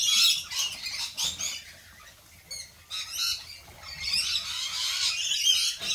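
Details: Lorikeet squawks: harsh, high-pitched screeches packed into rapid overlapping bursts, dipping briefly near the middle before a sustained noisy chorus of chattering calls returns.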